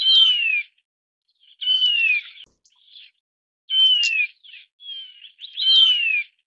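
A Taiwan barwing gives high, clear whistles that slide downward, roughly every two seconds, with brief scratchy notes between them.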